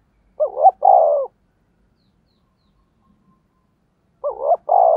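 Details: Lure call of a spotted dove meant to draw in wild doves: a loud coo phrase, a quick double-hooked note then a long, falling one, repeated once after about three seconds of silence.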